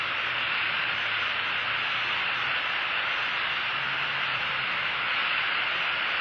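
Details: Constant broadband static hiss with a faint low hum and no animal sounds.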